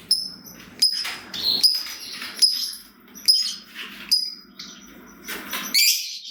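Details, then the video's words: Fighter lovebird giving sharp high chips about every 0.8 seconds over a steady hissing background noise, with a rising squeal at the end; a sound meant to prompt other lovebirds into song. "Pancingan Burung Lovebird Ngetik Bikin Gacor Ngekek Panjang !! Lovebird Lain Langsung Nyaut Gacor"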